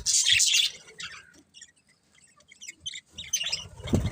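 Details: Budgerigars kept as a family of pets: a loud burst of shrill chirping at the start, then a near-silent lull, followed by scattered squeaks and chatter returning with a low thump at the end.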